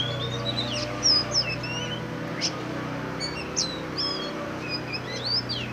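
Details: Singing black Oriental magpie-robin giving sharp high whistles, quick chips and sliding notes in loose groups, with a steady low hum running beneath.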